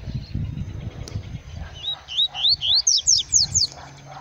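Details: Yellow-bellied seedeater singing in the bush in Bahia, Brazil: a phrase of clear whistled notes, each rising or slurred, about eight in quick succession, climbing higher toward the end, after low rustling and a man's brief voice.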